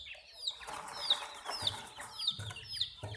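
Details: Domestic chicken chicks peep in high, falling whistled notes, about five over three seconds, with lower clucking and rustling beneath as people try to catch a chick.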